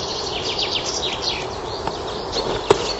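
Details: Common chaffinch singing in a forest in spring: a quick series of bright, descending trilled notes over steady broadband rushing noise, with a sharp click near the end.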